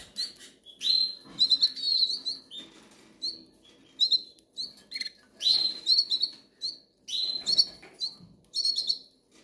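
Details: Hungry young goldfinches begging, with clusters of sharp, high, squeaky notes in rapid groups every second or so and softer faint chirps between the louder bursts.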